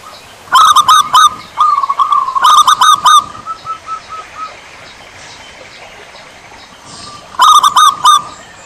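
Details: Zebra dove, a local Javan perkutut, gives three bursts of quick, clipped cooing notes. Fainter trailing coos follow the second burst. A long quiet gap comes before the last phrase.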